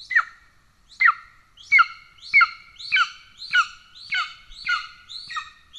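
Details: Golden eagle at the nest, Estonia, 17 July 2024, as the father brings a pigeon and the young is already fed: a quickening run of about nine sharp, falling, metallic calls with faint low background noise.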